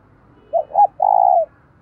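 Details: Decoy spotted dove calling to incite other doves to fight: a single phrase of two quick, rough low notes followed by a long steady coo over faint low background hum.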